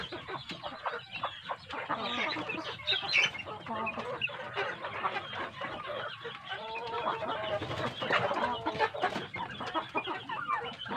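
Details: Many large domestic chicks fed a good diet: a long, unbroken chorus of shrill peeping and cheeping, with occasional clearer whistled notes rising above the crowded flock sound.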